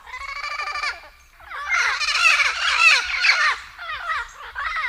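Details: Turquoise-fronted amazon giving a drawn-out nasal squawk, then a dense burst of overlapping raucous chattering and screeches from several birds.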